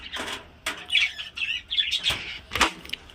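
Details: Captive budgerigars kept for breeding in a home: scratchy warbled chirps in short bursts, with wing flutters and some clattering noises mixed in.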